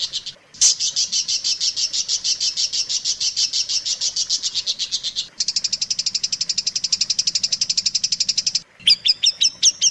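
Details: Long-tailed shrike song played as a tutor for caged birds: fast, continuous high chatter for about five seconds, a denser trill after it, then a few sharp whistled notes.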